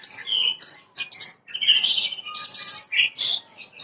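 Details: Bushlark of the parva type, lure song for starting a raw bird singing: dense, varied chirps and buzzy notes in quick irregular bursts, roughly two per second.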